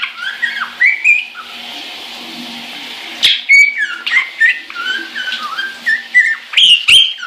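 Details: Pet caique singing happily in the shower: a busy run of whistled notes sliding up and down, with sharp squeaks and chirps, over a steady hiss of running water.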